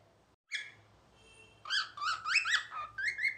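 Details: A cockatiel sitting on its owner's head whistles and talks in a quick run of bright, rising and falling notes with a slightly buzzy edge.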